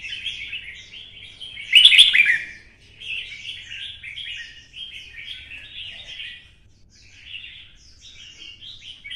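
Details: Red-whiskered bulbul kept in a cage in Vietnam, urged to sing for fighting in twisting style: a loud burst near two seconds followed by a steady stream of short chattering phrases, about three per second.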